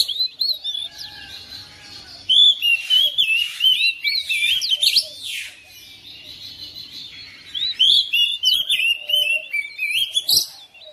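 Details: Oriental magpie-robin at home joining in after another bird: two long bursts of energetic, varied whistling with sharp slurred notes and brief noisy rasps, separated by a quieter stretch.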